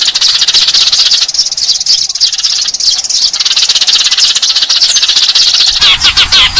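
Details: Sparrow lure sound of Eurasian tree sparrows: a steady wall of high chirping from many birds, with quick repeated notes, ending with a few clearer, separate chirps.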